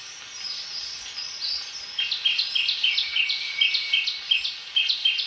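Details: Chestnut-fronted Shrike-babbler repeating short high chirped notes in a quick steady series over a constant insect-like hiss, with a faint level tone running beneath.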